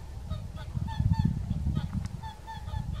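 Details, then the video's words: Whooper swans dancing and calling at Kuligów, 16 February 2018: a flock giving bugling, nasal honks, several overlapping in quick succession, over a strong low rumble of wind. "Łabędź krzykliwy (Cygnus cygnus)"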